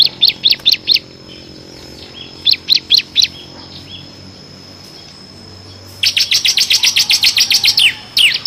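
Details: Bar-winged prinia singing in ngebren style, a six-variation song used to train competition songbirds: short groups of four or five high sharp notes, pauses, then a fast run of about fifteen evenly spaced chirps.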